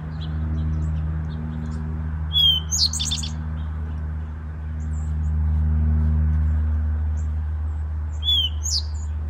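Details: Eastern towhee in woods, where males and females sing territorial songs and calls, sings a brief phrase of a couple of clear notes and a fast buzzy trill, then repeats it, over a steady low mechanical hum.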